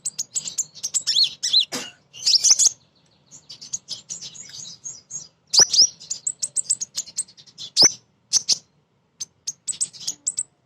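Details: Lively female sunbird (kolibri ninja) used to coax untrained birds into singing: long runs of fast, very high tinkling chirps and trills broken by short silences.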